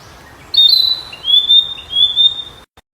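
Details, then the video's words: A wild flycatcher sings one long, thin, high whistled phrase that slides gently downward with small upward flicks, ending abruptly. "Burung sikatan di alam liar"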